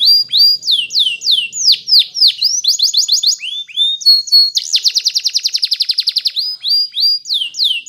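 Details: A Spanish Timbrado canary singing in the morning, a string of looping downslurred whistles and choppy phrases, then a long rapid rattling trill and more swooping notes.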